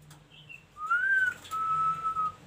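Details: Ashy tailorbird in energetic song gives a smooth whistle that rises and falls, then a long, even, level whistle, over a low hum in the background.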